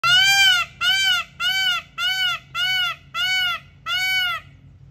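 Indian peafowl giving seven loud, nasal, arched calls in quick succession, one about every 0.7 seconds, over a low background hum.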